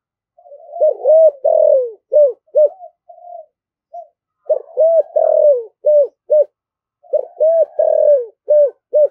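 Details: Vigorous thổ thúc gù cooing from a spotted dove: repeated clusters of low, soft coos, a longer falling note among short clipped ones, broken by brief pauses before the urgent sequence resumes.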